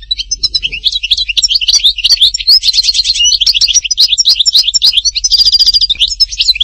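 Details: European goldfinch, Htatba, Tipaza, pouring out a dense, unbroken twittering song of high metallic chirps, rattling trills and quick buzzy notes throughout.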